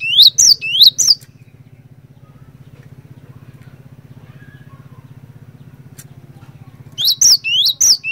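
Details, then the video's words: Cinereous tit singing to prompt other tits to join in: around four bright upslurred whistles open the recording, a long stretch of steady low hum follows, then another quick series of about four rising whistled notes. "PANCINGAN BURUNG GLATIK BATU GACOR INI ASLI BIKIN GLATIK BATU LAIN LANGSUNG IKUT BUNYI"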